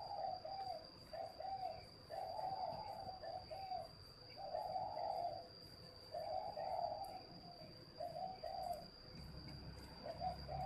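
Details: Spotted dove from a northern Vietnamese bird garden, cooing in a soft, low, repeated phrase of rounded notes, each burst about a second long with pauses between, over a steady high electronic whine and faint background hiss.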